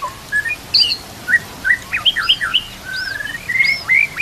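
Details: Training song of a white-rumped shama, laced with kapas tembak and kenari cililin phrases. Scattered sharp chirps and looping whistled slurs are separated by short pauses, with one soft rapid trill near the end, over a faint background hiss.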